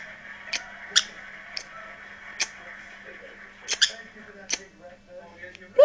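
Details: Pet green-cheeked conure making odd hiccup-like noises indoors: short sharp clicks and chips spaced irregularly, roughly one or two a second, over a steady low hum.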